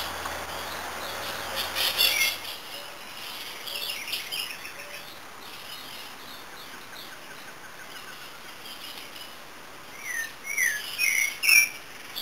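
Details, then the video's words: Pileated finch (tico-tico-rei) giving scattered faint high notes, then a closing burst of sharp, upswept chirps in quick succession. A brief low hum sounds at the start, with soft background noise throughout. "Tico Tico Rei Coryphospingus cucullatus"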